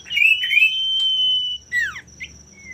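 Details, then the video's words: Male common iora, singing to goad rivals into answering, delivers a long, level, drawn-out whistle after a few buzzy notes, then a steeply falling slurred note and a short soft whistle. "pancingan burung sirtu/cipoh gacor jantan bikin lawan ikutan gacor"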